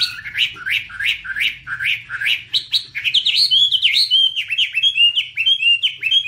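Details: Chinese hwamei (Garrulax canorus), a passerine of eastern Asia, singing while waving its wings, recorded 2017: loud, rich whistled phrases, a run of repeated rising-falling notes about every third of a second, then quicker bright slurred notes.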